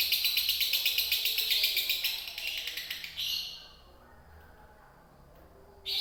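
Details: Indonesian lovebird delivering konslet song, a fast steady run of sharp high clicks and buzzy chatter for about three seconds, then near silence before a brief final burst.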